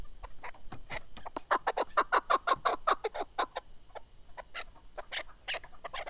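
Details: Kaklik, the chukar partridge, repeated clucking chuk notes, building into a louder regular burst in the middle, then thinning into scattered calls.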